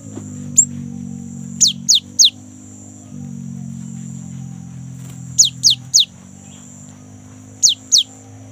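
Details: Phrases of three sharp, downward-slurred whistles, repeated several times with pauses, from a young, very vocal great tit used as a lure to get kept birds singing; a steady low hum runs beneath.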